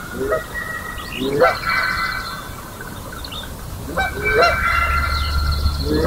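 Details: Canada Geese at Johnson Prairie on the early morning of May 4, 2016, calling with Sandhill Cranes. Pairs of short rising honks come in two bursts separated by a quieter stretch, over faint crane calls and a low rumble near the end.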